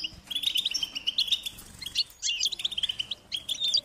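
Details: Young European goldfinches beg for food from their parents with shrill, insistent chirps, fast twittering runs broken by a short gap near the middle, several birds overlapping.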